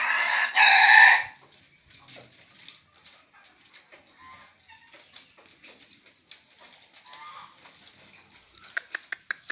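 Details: Five-year-old male green junglefowl kept as a breeding sire for bekisar hybrids, giving one harsh, broadband crow lasting about a second at the start, followed by quiet clicks and faint chatter.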